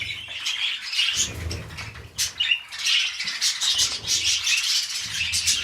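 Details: Mating pet budgerigars, breeding toward a fresh clutch, give a busy scratchy warble of rapid chirps and squawky notes, with brief pauses and a low background hum.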